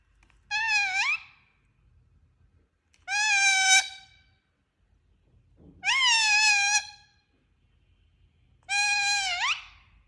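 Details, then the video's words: Talking parrot kept as a pet, giving four drawn-out harmonic calls, each rising then bending, spaced about two to three seconds apart with quiet gaps and faint low hum in a small indoor space. "Talking Parrot Making Sound"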